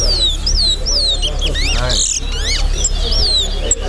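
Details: Towa towa, the chestnut-bellied seed finch, competing in an all-star singing contest at Lusignan: clear slurred whistles and quick upward-sweeping notes in fast bursts, with background chatter and low rumble.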